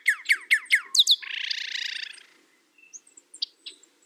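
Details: Northern cardinal song opening with a quick string of short falling whistles. A buzzy, rapid trill follows for about a second, then faint scattered chips.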